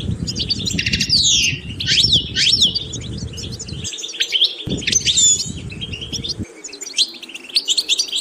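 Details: European goldfinch song rich in sweeping, slurred notes and fast twittering trills, with intermittent low rumbling handling noise beneath the first part and again briefly midway.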